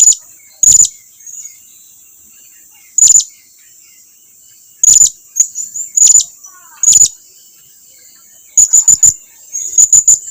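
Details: Blue-crowned hanging parrot calling so its companions will come closer: loud single high-pitched chips spaced a second or more apart, ending in quick triplets and quadruplets of shrill ticks.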